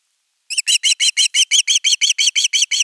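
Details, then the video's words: Osprey at nest camera 3 on 10 August 2021, calling long for fish: a fast, even run of about twelve sharp, ringing chirps with bright overtones, each note short and evenly spaced, after a brief silence. "Myy huutaa pitkään kalaa"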